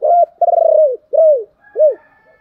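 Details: Spotted dove recording used as a lure for wild doves: a clipped coo, a long rolling, vibrating coo that droops at its end, then two shorter descending coos; a faint steady higher tone lingers afterward.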